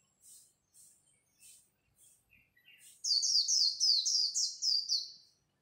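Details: Japanese white-eye singing in competition at dawn, likely kept as a cage bird: soft high chirps at first, then from three seconds a loud rapid run of bright descending whistled notes, about four per second.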